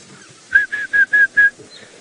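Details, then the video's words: Yellow-throated Petronia up in a tree during a sunrise safari drive, 25 April 2018, Sabi Sand, South Africa, giving its characteristic three-syllable call: five short, even chirps in quick succession, about five a second, steady mid-high pitch, quiet background. "sounds like a yellow-throated petronia up there. You can hear that"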